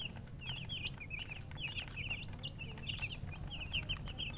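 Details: Many young chicks chirp together, quick high descending peeps almost without pause, over a steady low droning background.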